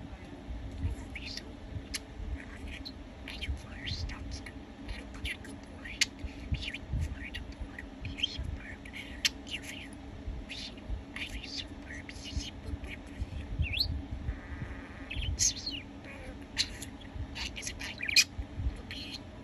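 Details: A pet budgerigar recorded at night warbles in a steady stream of chirps, clicks and squeaky, speech-like chatter over a low hum.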